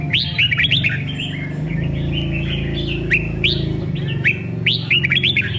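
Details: Red-whiskered bulbul in songkon voice, giving quick bubbly warbles and crisp upslurred whistles in clustered bursts, partly over a loud, steady low rumble.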